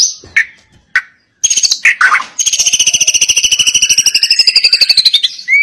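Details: White-rumped shama singing a persistent song; a few sharp clicks and a slurred phrase, then a long rapid rattling trill of even notes, about eight per second, slowly falling in pitch and ending in a short whistle.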